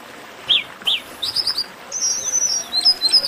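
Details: Chestnut-capped blackbird 'baderna' sung to warm up other birds. Two bright whistled notes come first, then a short chirping series and a scatter of thin, high sliding whistles overlapping one another.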